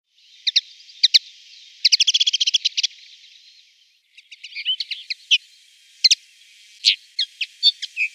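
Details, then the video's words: A common linnet sings a high twittering song of quick, dry chirps, with a fast rattling trill near the start and then scattered varied notes, with no other sounds. "Canary & Linnet: Watercolor process with bird singing"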